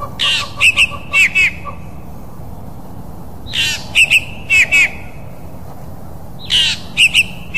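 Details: African fork-tailed drongo calling: repeated phrases every three seconds or so, each a harsh burst followed by sharp twangy notes and a short whistled tail.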